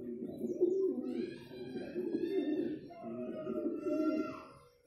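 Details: Courting pigeons give steady low coos in swelling waves, while thin, higher whistled notes run along above them.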